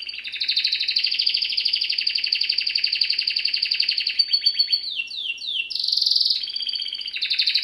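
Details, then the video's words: Domestic canary, Serinus canaria, singing for song training: long rapid trills of repeated notes high in pitch, then descending slurred whistles and a buzzy burst, continuous and loud throughout. "Bird song | Canary singing| training bird | best canary | Serinus canaria"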